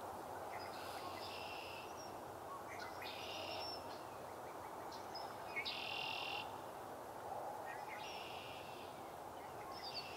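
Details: Northern cardinal singing short, bright, high phrases roughly every two seconds over a steady low rush, beside Sapsucker Woods Pond, Ithaca, New York, on 30 March 2024, while a pair of hooded mergansers dive for fish.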